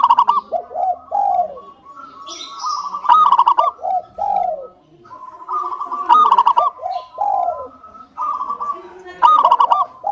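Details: Lure song of a local Indonesian zebra dove, meant to set other doves singing: repeated phrases of fast trilled coos with sagging slurred notes, each phrase returning every few seconds with brief gaps, plus a faint higher chirp.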